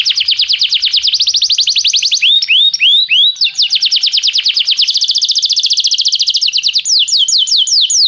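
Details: Canary training song: continuous rolling trills of rapid bright notes, broken by a few slower swooping whistles, then a fresh fast trill and a closing run of separate high upslurs.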